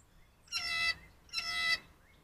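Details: Blue jay perched on a rail screaming while a squirrel sits on the table and other jays gather on hooks; two loud, harsh, nasal screams rich in overtones, each under half a second, about one second apart, against a quiet background.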